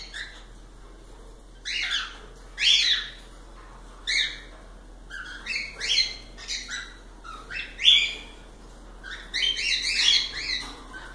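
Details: Pet cockatiels give steady separate chirps every second or so, each a quick upswept note with strong overtones, ending in a thicker overlapping cluster.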